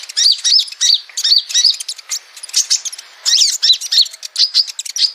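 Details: Olive-backed sunbird calls used as a lure: high, thin chirps in quick, sharp bursts of twittering notes, with a brief pause midway and no other sounds.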